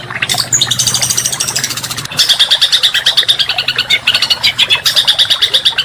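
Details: Songbird training song used as masteran for contest birds, a dense, rough, rapid-fire stream of sharp chirps and trills repeated quickly, with a short burst of harsh notes then a long run of fast repeated high notes.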